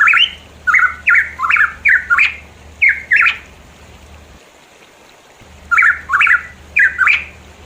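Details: Pitohui recorded in the mountains of East Java, Indonesia: loud, harsh, squawky notes with a twisting rising-and-falling pattern, given in bursts of several phrases, then a pause before the series resumes; faint low hum in the background.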